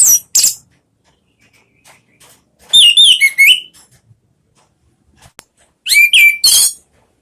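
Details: Song of a caged orange-headed thrush as a lure recording in clear ngeplong style: two sharp high notes, a pause, then rich warbled whistles and a second burst ending in a clear falling-rising whistle.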